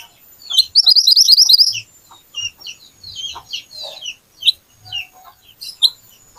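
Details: Lure recording of an actively singing little pied flycatcher: a fast, sharp, very high rattling trill bursts out early, followed by scattered quick chirps and slurred high notes.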